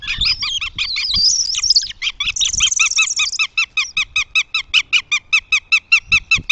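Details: Northern Goshawk at its nest in Tartu, Estonia, on 2 June 2025, giving a drawn-out wavering wail, then a harsh, nasal series of repeated calls, about two to three per second.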